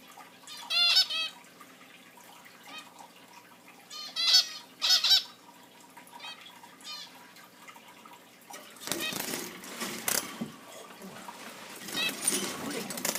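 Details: Indoor pet zebra finches giving a few loud nasal chirps at the start, followed by a long stretch of broad rustling or splashing noise.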